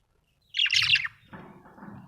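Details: Happy budgerigar giving a short, scratchy high chatter lasting about half a second, followed by a softer, low buzzing murmur.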